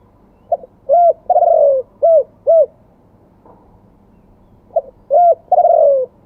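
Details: Live crowing of a spotted dove, wild-voice style with a double 'kuk' close. A soft pickup note, a coo, a long falling croon and two crisp notes form one phrase. A second phrase begins near the end.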